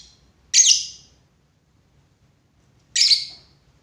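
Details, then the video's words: Lovebird calling with two single harsh, shrill chirps separated by over two seconds of near silence. "lovebird // burung cinta"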